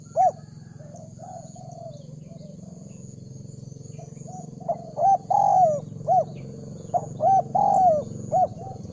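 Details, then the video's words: Spotted dove luring call for training decoy doves: after a few early soft coos, a clear run of short and drawn-out cooing notes starts midway, loud paired phrases repeating at an uneven pace over a steady low hum. "Chim cu gáy chiêu kích mồi tập bổi nhanh nổi hiệu quả"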